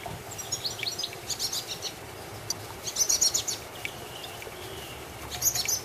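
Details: Garden recording of a common blackbird chick and its mother: short clusters of sharp, high squeaky chirps in irregular bursts, with gaps of faint background hiss between them.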